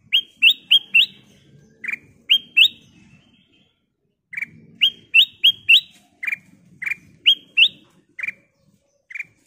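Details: Actively singing golden kutilang bulbul, used to draw other birds into song: bright rising whistles in rapid bursts of three or four, then spaced single notes, over a soft low rumbling background.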